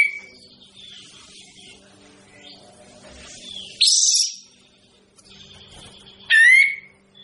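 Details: Olive-winged bulbul (burung kapas tembak) giving two loud, harsh phrases: a buzzy high burst near the fourth second, then a sharp note that drops and levels into a ringing tone, with soft chatter and a low steady hum between.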